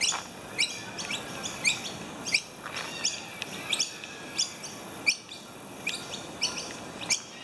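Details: Wild noisy miner mobbing a slender whip snake, attentively ushering it across a footpath; sharp, clipped high chirps falling in pitch, repeated irregularly about every second, over steady outdoor background hiss.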